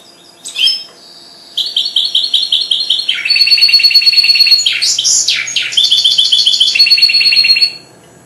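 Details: Four-month-old goldfinch hybrid, just beginning to sing: loud, high twittering song of fast buzzy trills and rattling repeated notes, with swooping whistled slurs in the middle, running for about six seconds after a single opening chirp.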